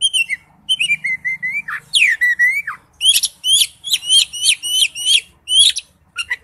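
Oriental magpie-robin singing wild-type song: clear falling whistles and slurred notes, then a fast run of sharp, bright notes repeated several times a second.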